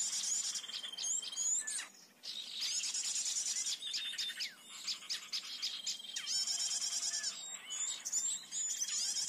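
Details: A blue-headed flycatcher, in lure audio used to catch birds in the forest, gives a rapid, almost continuous run of high thin chirps and twitters with sharp sweeping whistles over faint hiss.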